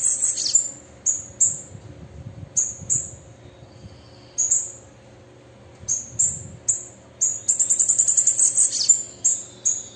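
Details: Female bananaquit calling and singing: thin, very high sharp notes repeated in uneven bursts, then a fast, buzzy, high trill near the end, with a faint steady hum underneath.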